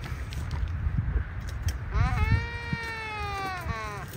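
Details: A waved albatross during its courtship dance on Española Island, Galápagos, gives one drawn-out, nasal, bleating moan of nearly two seconds, steady in pitch and rich in overtones, over a low rumble of wind and surf.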